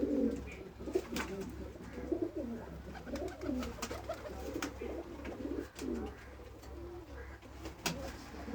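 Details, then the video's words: Soft, muffled pigeon coos run in a rambling series, quiet against steady low hum and scattered clicks. "kabotar ki awaz | sound of pigeon"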